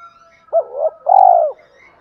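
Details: Spotted dove with a 'giọng thổ' voice, used as a lure to make wild doves coo: a short clipped coo followed by a longer, burry, rolling coo, low and mellow, on an otherwise quiet background.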